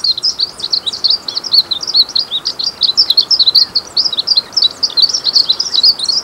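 A Glaucous-blue Grosbeak sings a rapid, continuous run of high, sweet warbled notes, slurring up and down with hardly a pause.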